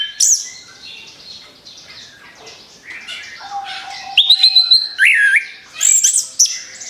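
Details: Orange-headed thrush in rapid-fire song meant to lure other birds: subdued, scratchy warbling at first, then loud clear whistled phrases, a bright rising-falling slur and high piercing notes toward the end.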